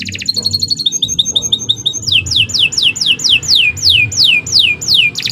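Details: Canary song moving from rapid high tours of clipped repeated notes into a slower sequence of about ten bright whistles, each sweeping steeply down, with soft background noise.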